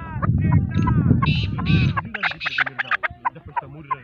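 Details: Male chukar partridge calling: harsh, harmonic, arching notes over a low rumble for about two seconds, then a run of short, clipped chuk notes repeated several times a second, fading toward the end.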